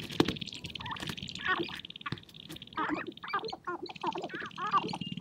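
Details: On a prairie hilltop in spring, as snow melts, sharp-tailed grouse dance and fight to attract females: clear warbling cackles and hoarse notes of several birds, with a sharp snap early on over a steady high hiss.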